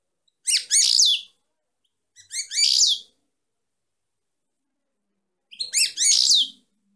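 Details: Three bursts of fast, high, tinkling twitter from a female European goldfinch, each phrase roughly a second long and made of quick downslurred notes, separated by clean silences, the last after a longer pause.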